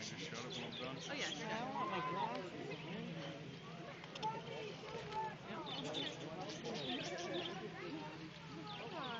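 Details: A flock of budgerigars in a zoo exhibit keeps up a dense, overlapping chatter of warbles, chirps and scratchy notes.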